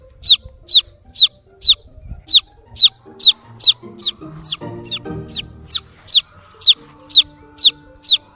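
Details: Baby chicken chick looking for its mother hen: loud, high, sharply falling peeps repeated about twice a second in a steady series, over soft background music.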